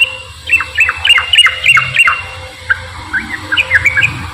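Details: Straw-headed bulbul song in 'ropel' style, played as bait to get lazy bulbuls singing: a run of loud, slurred, gurgling whistles repeated rapidly, a short gap, then a softer series of bubbling notes with low background rumble.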